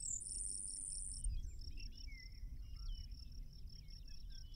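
A Grasshopper Sparrow gives a short lead-in note, then a thin, very high, insect-like buzz lasting about a second. A steady pulsing insect, other bird chirps and low rumble fill the background.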